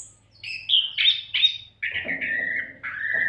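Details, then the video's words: Oriental magpie-robin (kacer) singing continuously as a training recording for other songbirds; whistled notes of varied pitch, some sliding and buzzy, in short phrases with brief gaps, over a faint low hum. "MASTERAN KACER GACOR TANPA JEDA COCOK BUAT SEMUA BURUNG KICAU"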